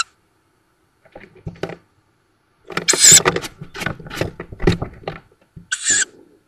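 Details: Tawny owl young at a nest on the edge of Szokolya village, Hungary, 7 May 2022: two rough hissing calls amid loud rustling, scraping and knocking from movement in the nest.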